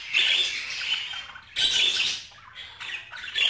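Budgerigar warbling in scratchy, chattering bursts of rapid twitters and squawks, high-pitched and continuous, with brief pauses between phrases.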